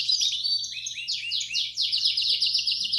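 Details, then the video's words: Belgian canary singing 'campainha' (bell) style song, used to stimulate young canaries to sing: a fast series of sharp downslurred notes, about four per second, flowing into a dense high trill. "Som-do-canaril-para-esquentar-filhotes-de canar-belga."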